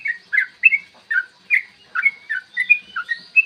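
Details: Long 'ropel panjang' song of a yellow-vented bulbul, recorded in the morning as a lure to rouse rivals; cheerful slurred chirps in irregular quick groups, with a faint high rising whistle near the end.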